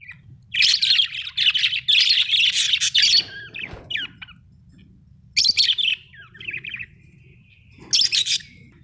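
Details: Pet budgies kept at home: dense bursts of harsh, scratchy chirping in long runs during the first three seconds, then two shorter chattering bursts later, with quiet low hum between calls.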